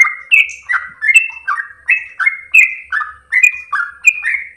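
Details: Ropel singing of a yellow-vented bulbul, melodious and long-breathed, used for training birds: evenly spaced, liquid whistled phrases, each a short rise and fall, about eleven in quick order with faint low thumps beneath.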